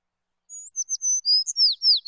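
A sparrow gives a quick run of about eight high, thin chirps and slurred whistles over one and a half seconds, with no other sounds.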